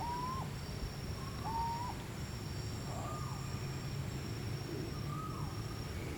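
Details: Philippine scops owl, a bird endemic to the Philippines, gives short, clear, slightly rising hoots about every one and a half seconds over a steady low rumble and a faint high insect whine.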